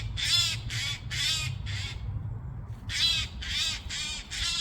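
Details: Loud, hoarse screeching from a Eurasian jay: two quick runs of three or four grating calls separated by a short pause, rough and broadband, over faint low background hum.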